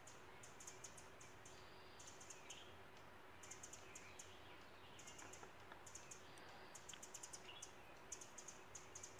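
A house wren gives dry, rapid ticking chatters in short bursts every second or so, mobbing an owl, over a steady low rumble of background noise.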